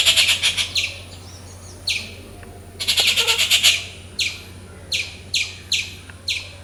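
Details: Rufous treepie, a noisy bird of the crow family, calling in its natural habitat: loud, harsh, raspy bursts in quick chattering series, several short grating notes in a row, then separate piercing notes spaced about half a second apart.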